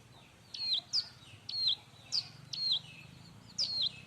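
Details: Bar-winged prinia song for training other birds: a bright high note sliding down in pitch, repeated about once a second, with some hiss and a low background hum.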